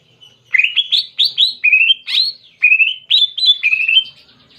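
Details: Clear canary-style song from a greater green leafbird: a lively string of short whistled notes that slur upward, loud and varied, with brief gaps between groups of notes.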